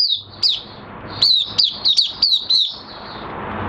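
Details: Oriental white-eye in a minor moult, 3 June 2022, in open song: clear, high, sweet notes, each sliding downward, given in a short, lively series of about seven phrases.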